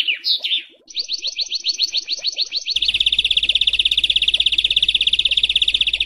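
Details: Songbird master recording for training home and contest birds to learn harsh 'besetan kasar' phrases: sharp whistled notes, then a run of quick repeated chips, then a fast, steady, buzzy high trill.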